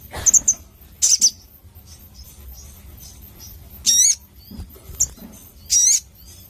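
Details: Crimson sunbird, vigorous clear-voiced singing: short clusters of sharp high chips, followed by loud upward-sweeping whistled slurs repeated at intervals of about two seconds.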